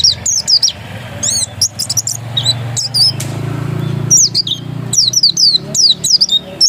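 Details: Oriental white-eye of the dakun type, reportedly still original, giving thin, rising-and-falling high chirps in irregular bursts, with a low rumbling hum and a short noisy gap midway.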